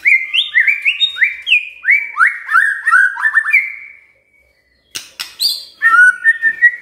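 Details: Magpie-robin song intended to trigger a silent bird into steady singing: a rapid cascade of rising, whistled notes that runs for several seconds, a brief pause, then sharp chips and renewed whistling.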